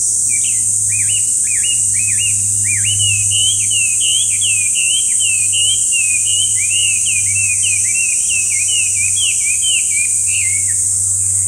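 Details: Long, rapid outpouring of song from a Chinese hwamei, dozens of bright whistled notes that dip and rise in a continuous varied stream, set against a persistent high buzzing drone and a faint low hum.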